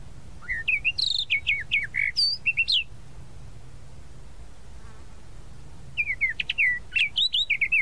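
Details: Sabiá-da-praia, the tropical mockingbird, pouring out rapid bursts of varied chirps and sharp whistled notes, about two seconds of song, a quiet pause, then another lively burst.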